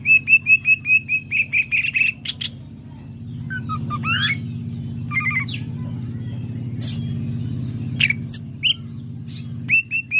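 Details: Greater green leafbird in full song at a training session: a fast series of about ten repeated sharp chips, then scattered rising whistles and buzzy notes, ending with more chips, over a low hum.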